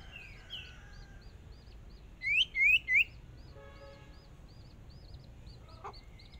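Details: On its first outing as a decoy in a small singing contest, a hwamei gives three loud downslurred whistles in a row amid a background of rapid, faint hooked notes and a few buzzy tones.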